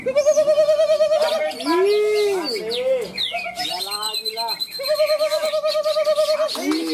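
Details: Greater green leafbird (cucak ijo) caged at a songbird contest in Malinau, North Kalimantan, Indonesia, the class winner; loud fast trains of repeated harmonic notes alternate with looping rising-falling whistles, other birds and crowd voices behind.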